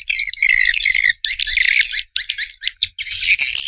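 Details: Harsh, high twittering of swiftlets in quick chirping bursts, about four per second, with short breaks between runs.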